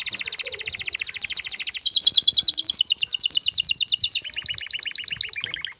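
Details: Aroused male canary singing to stir a female into mating, a chain of rapid high trills changing pace: a dense buzzy roll, a slower pulsed trill, then lower spaced chirps.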